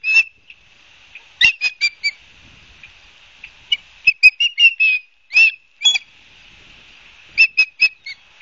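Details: Live-cam osprey nest at Barnegat Light, New Jersey, on 12 September 2022 at 16:34; irregular clusters of high whistled and slurred chirps separated by short quiet gaps, with faint softer notes between.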